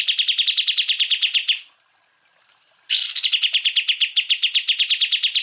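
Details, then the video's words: Cucak ijo, greater green leafbird, in full tembakan masteran song meant to train other birds: a rapid rattling series of sharp chirps, a pause of over a second, then another long, fast run of identical bright chirps. "MASTERAN cucak ijo full tembakan"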